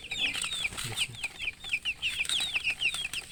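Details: Chirping chickens, a murgi hen and colour chicks: a steady stream of thin, high, descending peeps several per second, many birds calling at once, with some low thumps and rustling.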